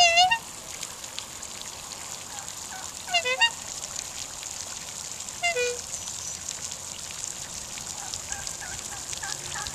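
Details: Australian black swans, a pair kept by their owner, calling as they come closer: short bugling toots that dip in pitch, in bursts at the start, around three seconds and five and a half seconds, with a steady background hiss between.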